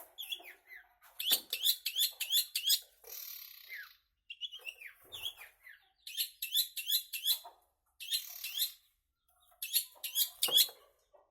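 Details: Long-tailed shrike delivering rapid repeated phrases of sharp, rising chirps in quick trains, broken by brief buzzy hisses and short pauses, the same pattern returning several times.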